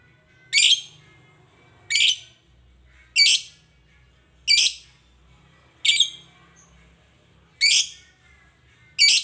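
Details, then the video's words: Lovebird, said to call rarely, with the aim of making it chatter constantly (gacor): seven sharp, harsh chirps, each a short bright burst fading quickly, repeated every one and a half seconds or so over steady low hum. "Love bird yang jarang bunyi agar Gacor"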